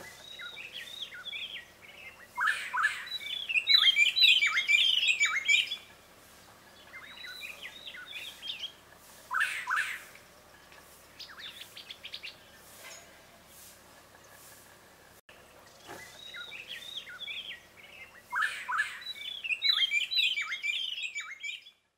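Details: A Black-headed gonolek in Ugandan savanna woodland gives bursts of harsh, rasping, clicking notes, repeated in short, busy phrases.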